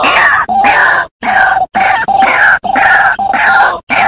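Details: White-breasted waterhen calling, used as a trapping lure: rasping, grunting notes repeated in quick succession, some bursts longer and more strained, separated by short pauses, with no other animals or noise audible.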